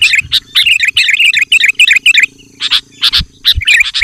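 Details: Sooty-headed bulbul used as a lure for wild bulbuls, pouring out rapid bubbly whistled phrases for two seconds, then a pause and scattered sharp chips with brief warbles.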